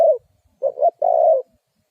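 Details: Spotted dove used as a decoy for catching wild doves. The end of one long coo is followed by two short hoots and a sustained, steady coo.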